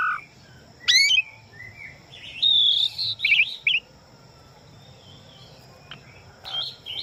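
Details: Asian pied starling singing more softly: a sharp rising whistle, then a short run of warbled, buzzy notes, with scattered faint chips and long quiet stretches over low background noise.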